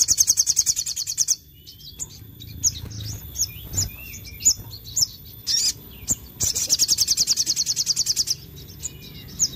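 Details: Sogon in full, nonstop song meant to rile other sogon: a fast, buzzy trill opens the phrase, then scattered high squeaky chirps, then another long rapid trill that pulses several times per second.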